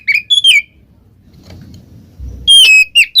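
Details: Oriental magpie-robin in ngeplong style, meant to coax a quiet bird into singing: a few loud clear whistled notes, a long near-silent gap with low rumbling, then another short burst of bright falling whistles.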